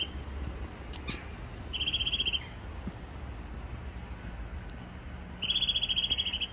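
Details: Eurasian nuthatch, also called wood nuthatch, giving two rapid trills of identical piping notes several seconds apart, the second longer; a thin, high, faint whistle from another bird sounds between them, with low background rumble.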